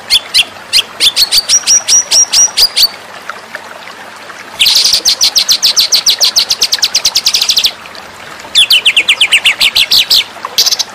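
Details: Training master song of a white-rumped shama, with high whistled notes repeated at a steady pace, then a dense, very fast trill lasting about three seconds, a short break, and another rapid trilled run.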